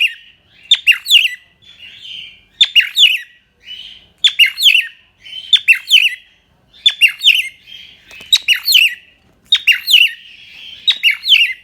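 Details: Pet cockatiel in Indonesia, sometimes called the Australian parakeet, singing indoors: repeated bursts of high chirps with rising and falling warbled whistles, groups of notes coming roughly every one to one and a half seconds.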